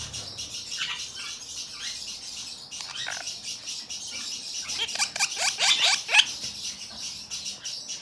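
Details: A cream ino lineolated parakeet, recorded 21 November 2022, gives quick runs of sharp, descending chirps, about four a second, over a steady hiss of high chatter from other small birds.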